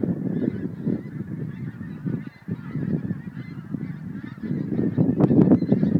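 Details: Many geese departing Montrose Basin to feed, 12 January 2011, produce a steady overlapping clamour of honks, several calls per second, swelling louder toward the end.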